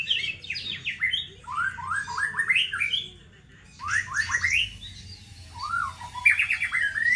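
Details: White-rumped shama singing, meant to lure birds at home: loud, varied phrases of quick rising whistled notes in bursts, separated by a short pause near the middle.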